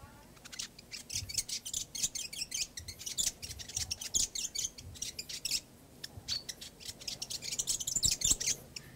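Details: Fantail in a backyard: dense, fast high twittering and chipping, near-continuous bursts of squeaky notes with faint low background rumble.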